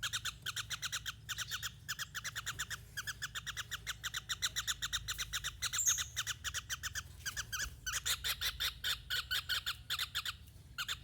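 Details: Javan kingfisher giving a long, continuous stream of fast, harsh, repeated notes, almost like a rattle, with brief breaks. The notes are evenly spaced and keep going throughout, over a faint low hum.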